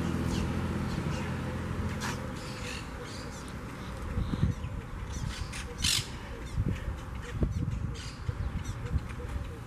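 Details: Wild Monk (Quaker) parakeets at their huge twig nest in a palm tree by the beach in Southwest Florida, part of a noisy colony: harsh, scratchy squawks in scattered short bursts over a steady low rumble.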